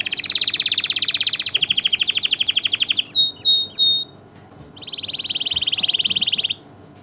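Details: Singing canary: a dense rolling trill slides lower, then come sharp separated whistled chirps, and after a short gap a steady mid-high pulsed tour.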